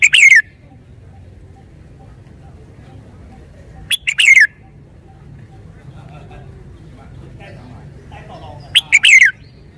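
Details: Three loud, quick whistled phrases from a red-whiskered bulbul, roughly every four to five seconds, each ending in a downward slur, with low steady background noise between.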